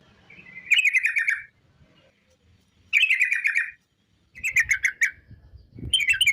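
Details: Sooty-headed bulbul (trucuk) in long rolling song played to get other bulbuls singing: bubbly, rapidly warbled phrases under a second long, repeated about every two seconds, with faint low background noise.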